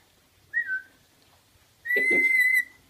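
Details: A person gives a short whistled phrase, and a pet rainbow lorikeet answers with a long, steady, buzzy-edged whistle full of overtones while playing a mimicry game.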